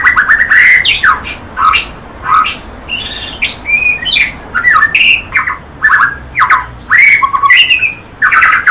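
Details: Loud, energetic white-rumped shama song of harsh chattering notes mixed with clear whistled slurs, phrases tumbling one after another with little rest.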